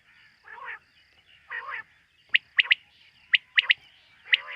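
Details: Night-time quail, in a setting linked to quail hunting: two softer, raspy, nasal notes, then crisp high chirps in pairs and triplets, with a steady high-pitched hum throughout.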